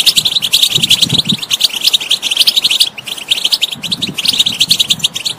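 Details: European goldfinch song to coax a silent bird into singing: lively tinkling twitters and trills with a brief break midway, faint low sounds beneath.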